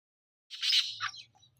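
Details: Black francolin (Francolinus francolinus) in Pakistan gives one harsh, grating call burst lasting under a second, dropping slightly at the end; a faint low hum follows.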